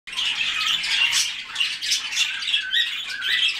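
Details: Several white-faced cockatiels giving harsh, buzzy squawks that overlap almost continuously, each call sliding around the upper-middle pitch range with a few rising notes near the end.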